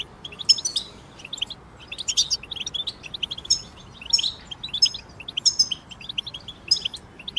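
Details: Group twittering of European goldfinches, used to encourage moulting goldfinches to sing: dense high chirps and jingling trills in repeated bursts over a steady background hiss.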